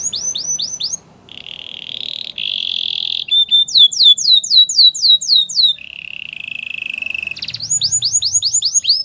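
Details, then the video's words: Canary song played for training other canaries to sing; bright rapid tours alternate: fast descending high whistled trills, steady buzzy rolls held over a second, a lower sustained roll, then the quick trills return, no other sounds. "Your canary will sing a lot if he hears this | The best canary training"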